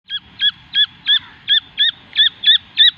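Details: Partridge chick calling: a clear, high, hooked peep repeated steadily about three times a second, each note dipping then rising, over a faint low rumble in the background.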